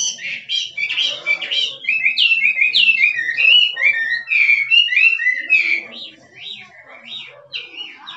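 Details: Wild-type Chinese hwamei in 'kích trống' style, singing vigorously: a dense run of loud, varied whistled phrases with quick sliding and swooping notes, about four per second, fading somewhat toward the end.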